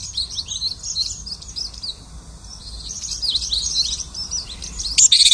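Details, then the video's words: A lark imitating other birds, its high jumbled twittering set against a steady hiss of background noise, ending in a louder cluster of sharp, high chirps. "The lark imitates the singing of hundreds of birds."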